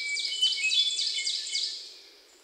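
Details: Hermit thrush singing on June 29, 2023 in Sudbury, Massachusetts, recorded with a Sony PCM D50 and lavalier mics; a low clear note followed by a rapid, ringing cascade of high, fluttering flute-like notes that fades out.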